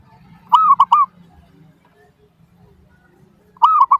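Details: Zebra dove lure song meant to make other doves answer: a rolling phrase of three cooing notes, long arched first then two short, repeated after about three seconds, with a faint low hum behind.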